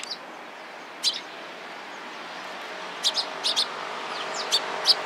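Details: Eurasian tree sparrows gathering around a person, recorded on 27 April 2017: short sharp chirps in scattered bursts over a steady broadband background hiss.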